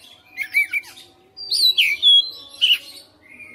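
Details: Oriental magpie-robin kept at home, singing keenly in fighter style with its fill repertoire: soft chirps, a brief pause, then loud swooping whistles and a rough burst, ending on a thin quiet note.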